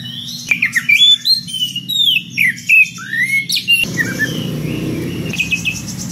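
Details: Ngeplong-style magpie-robin calling a rival: a rapid series of loud, slurred whistles, many sweeping downward, for about four seconds, after which the song gives way to broad rushing noise with faint high notes.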